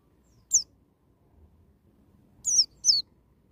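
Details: White-eye singing in the wild style to prompt a young bird: a single sharp, high, falling chirp, then after a pause two more quick descending chirps over a quiet background.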